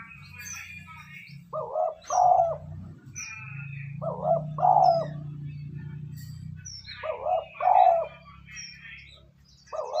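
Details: Spotted dove cooing as a lure to attract wild birds: paired low coos, short then long and rolling, repeating every three seconds or so over a low hum and scattered birds chirping.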